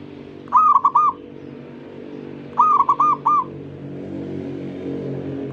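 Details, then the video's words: Zebra dove singing so other doves join in: two phrases of four quick rolling coo notes, roughly two seconds apart, over a steady low background rumble. "Yatim pintar ngajak perkutut lain ikutan bunyi"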